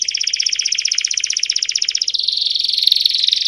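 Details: Canary long song in campainha style, meant for training young birds: a quick, even pulsed trill that after two seconds jumps into a higher, buzzy rolling tour.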